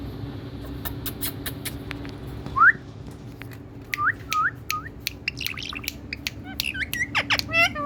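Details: Indian pet parrot calling sweetly: one loud rising whistle, then three short upward-curving whistled notes, followed by rapid chattering squeaks and hooked whistles, with clicks and low hum behind.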